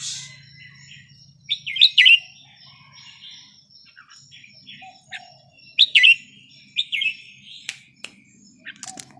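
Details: Vietnamese red-whiskered bulbul, a small cage bird over ten years old, repeats short bubbling warbled phrases about every two to four seconds in the counted-phrase style, with a faint low hum at first and occasional clicks.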